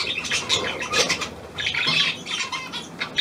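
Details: Hand-tame pied budgerigar, Australian type, new bird recorded 17 February 2023, uttering short raspy squawks and chirps in quick uneven clusters, ending in a sharp high note.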